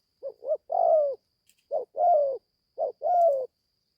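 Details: Young spotted dove, newly calling and out in the forest for training the first time, repeats three low phrases of two quick notes and a long sliding coo, evenly spaced, with a faint click near the middle.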